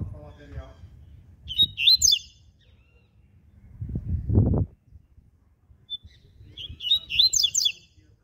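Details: Double-collared seedeater singing its ziper-style song in the morning: two brief, high, buzzy bursts of rapid zigzag notes about five seconds apart, with low murmuring and a short low rumble between them.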